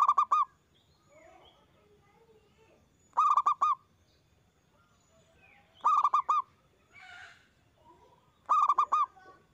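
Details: Local zebra dove with a big, loud voice, recorded as a lure to prompt other doves to answer and sing: four bursts of quick, rolling, hollow coos, each three to four notes, repeating about every three seconds, with faint other birds between.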